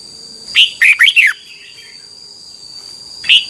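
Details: Red-whiskered bulbul from Thailand, song played to teach young birds: a single phrase of four quick, liquid whistled notes, each arching up then falling, followed by nearly three seconds of quiet and a new note at the end; steady background whine.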